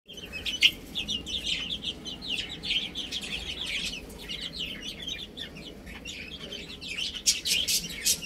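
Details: Many baby chicks playing and eating, giving a dense chorus of high, thin overlapping peeps, short rising and falling chirps packed closely together, with occasional sharper louder cheeps standing out.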